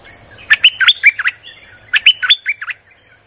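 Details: Streak-eared bulbul, 'sap dok' song delivered without pause, used as a lure for wild birds; two loud rapid phrases of about six sharp, slurred chirps, each rising then dropping, about a second and a half apart.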